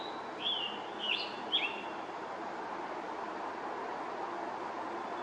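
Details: A male scarlet tanager singing high in the treetops by a pond at Stony Brook Wildlife Sanctuary, Norfolk, Massachusetts, in 2021, gives three quick, hoarse, slurred phrases in under two seconds, then falls silent over distant traffic.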